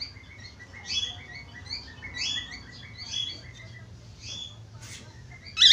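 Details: Budgerigar chatter meant to prompt other budgerigars into song: continuous soft, high, twittering warble of short rising and falling notes, ending in a sudden loud chirp.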